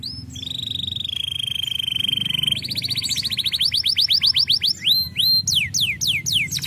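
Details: Canary song: a long steady rolling trill, then a faster rising series of repeated notes and loud sweeping downslurred whistles.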